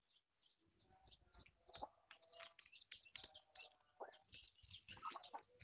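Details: Mother hen searching for food, uttering low clucks and a few drawn-out grumbling notes among dense, high, slurred peeping.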